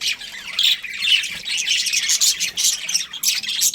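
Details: Breeding pair of budgerigars chirping in uneven bursts: high squawky chatter broken by short gaps, with a few sharper whistled squeaks.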